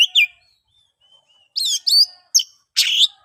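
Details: Oriental magpie-robin ngeplong song used to stir mute birds into singing: a couple of sharp notes, a soft pause with faint thin whistles, then four loud buzzy, rasping phrases.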